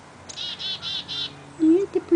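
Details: A noisy Black-capped Chickadee near a gray fox pup on November 9, 2009 gives a string of four harsh, buzzy dee notes, then a person speaks.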